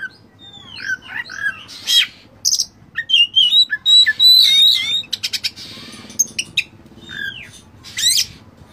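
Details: Oriental magpie-robin (kacer) lavish tutor song: slurred whistles and buzzy bursts leading into a long bright warbled passage, rapid ticking notes, then a high sweeping phrase; continuous busy delivery with faint hum.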